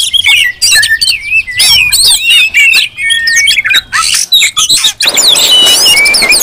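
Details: Oriental magpie-robins calling loudly together, used to provoke other magpie-robins into song and tail-spreading. Choppy bursts of whistled and rasping notes come in fast runs, ending in a dense burst of overlapping calls.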